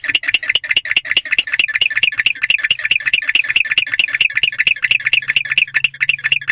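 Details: A male barn owl sits alone in an owl box before dawn, around 4:00 am, 20 February 2023, calling while the female uses a different box. Dense, rapid rattling chirps with bright raspy notes, continuous throughout, with faint low hum.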